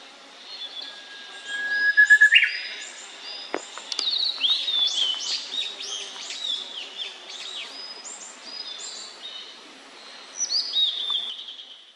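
A young Blue-and-white Flycatcher sings high, clear whistles: a long steady note that jumps upward, then a rambling run of short slurred phrases over faint background hiss.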